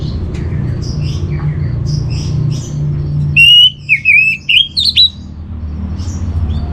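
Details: Orange-headed thrush training song for kept birds: soft distant chirps first, then a loud phrase of fast, tumbling whistled notes ending on a higher flourish, with a continuous low rumble beneath.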